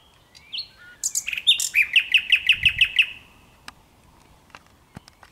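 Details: A common nightingale singing in morning sunshine on 1 May 2023 opens with a few varied whistles and chirps, then a rapid run of about ten identical ringing notes; a few faint clicks follow.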